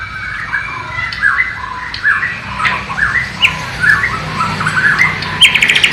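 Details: Bornean white-rumped shama, East Kalimantan, performing learned flycatcher (sikatan londo) material, filmed on a low-resolution camera: a string of short, harsh, upward-slurred squawky notes, ending in a brief quick rattle.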